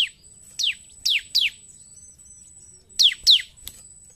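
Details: Ciblek (bar-winged prinia) in fighting-style 'narung' song: piercing, downward-slurred whistled notes, several spaced through the first half, a quiet pause, then two loud notes close together; thin steady electronic tone throughout.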